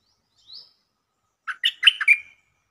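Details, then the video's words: Caged stripe-throated bulbul song used as a lure to attract birds: a faint thin whistle, a pause, then a quick bubbly run of four or five liquid, warbled notes, the last drawn out slightly; no other sounds. "Suara pikat merbah lekir gacor"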